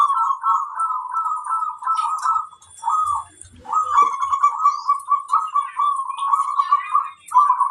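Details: Kerot koar song of a local zebra dove, played to lift the mood and breeding readiness of other doves: long continuous purring, rippling coos with one short break, faint high chirping and light knocks behind.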